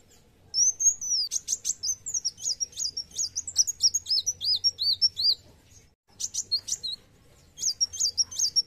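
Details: ['Olive-backed sunbird in fighting mood delivering rapid high chirps and arched whistled notes in dense bursts, pausing briefly before resuming the excited series.']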